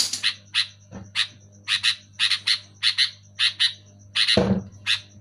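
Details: Sooty-headed bulbul, known locally as kutilang, calling loudly and clearly: harsh, buzzy paired chirps repeated about every half second, with one low thump near the end over a steady low electrical hum.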